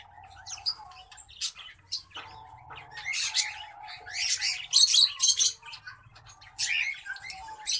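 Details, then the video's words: Song of a hybrid between green singing finch and black-throated canary: sparse high chirps at first, building into loud, fast buzzy and twittering phrases in the middle, then softer notes, all over a steady hum. "Green Singing Finch x Black-throated Canary (mozambik x blacktroath)"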